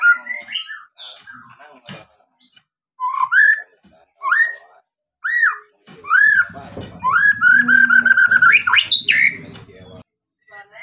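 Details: White-rumped shama song used to provoke other birds into singing: clear, whistled phrases rising and falling, given every second or so, building into a faster, richer run of varied notes and trills near the end.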